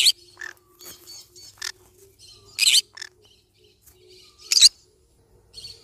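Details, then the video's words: Yellow-sided conure parrot mixing loud, rasping squawks with quieter chatter and short rising notes, several calls every couple of seconds over a faint background hum. "Yellow sided conure parrot bird sound"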